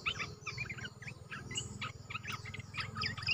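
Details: Olive-winged bulbul in captivity, recorded 29 June 2021; bursts of short mid-pitched chirps and warbles at a quick pace over a continuous low hum.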